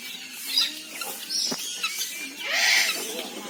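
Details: Common hill myna giving loud, harsh squeals and screechy bursts, some rising and falling, over a quiet background.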